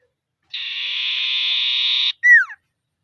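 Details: Common iora calling out to rivals in the trilling ngetir style: one long, steady buzzy trill lasting about one and a half seconds, then a short clear whistle slurring sharply downward. No other sounds.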